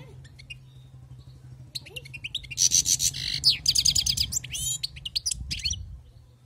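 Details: European goldfinch from the wild, starting with sparse soft chirps, then a sustained fast sequence of high, tinkling, twittering notes mixed with buzzy trills, over a low constant hum.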